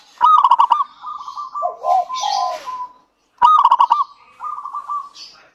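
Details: Local zebra dove in full song, used to lure other doves into singing: a sharp stuttering burst opens each phrase, followed by a flat bubbling trill and low slurred coos, with the pattern heard twice.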